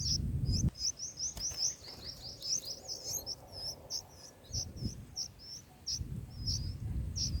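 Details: Bulbul chicks in the nest during feeding, producing a rapid, dense string of high, wavering chirps that slows into spaced tweets, with rustling and handling noises at the start and end.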